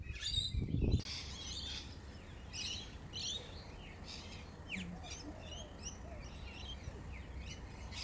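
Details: Rainbow lorikeets on a bottlebrush tree give sharp, screechy chirps and chatter in quick irregular bursts, several a second, over a low rumble of wind and a brief thump at the start.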